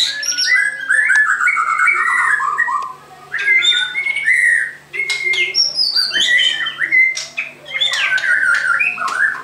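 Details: Song of a white-crowned shama: a rich stream of varied whistles, slurs and sharp chips, rising and falling notes in quick succession with brief pauses between bursts.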